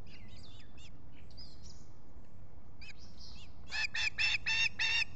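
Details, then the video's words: Osprey at its Finger Lakes nest, Salt Point, US, July 23, 2021, morning, recorded by a solar nest camera. Faint thin chirps at first, then a burst of five loud, rapid, grating squawks near the end. "Olan squawking"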